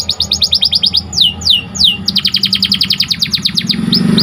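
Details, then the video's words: White canary training song: a rapid string of bright chirps, three long sweeping downslurs, then a fast even trill of clipped notes, with a faint low hum underneath. "Pelatihan burung kenari agar semakin gacor"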